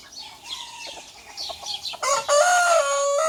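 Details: Domestic rooster crowing as a small rooster and a big rooster challenge each other: soft clucks and small-bird chirps, then a loud, harmonic crow that bursts in abruptly and holds a steady, drawn-out note to the end.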